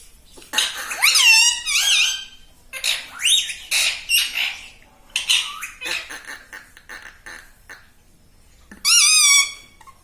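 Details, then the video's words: Pet talking parrot indoors, mimicking words such as "Mummy", "Papa" and "Mitthu": bursts of high, strained, harmonic speech-like syllables with rising and falling tones, a loud squawk near the end, quiet gaps between phrases. "Mittu Bolne Wala Tota || Talking Parrot || Mummy Mummy"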